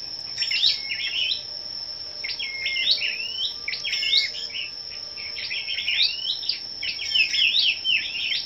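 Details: Scarlet-backed flowerpeckers singing competitively together one morning on 10 May, with dense overlapping high, sharp twittering phrases and quick chirps in clustered bursts, set against a constant thin high whine.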